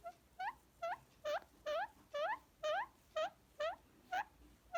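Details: A tame pet Indian ringneck parrot makes sounds indoors while being cuddled and petted, turning feisty and biting gently. Squeaky, rising, harmonic notes come steadily about twice a second over a quiet room background.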